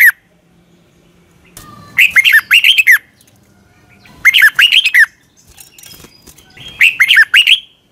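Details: Red-whiskered bulbul morning song for training birds: three energetic phrases of rich, rapid warbled notes roughly every two and a half seconds, with quiet gaps between.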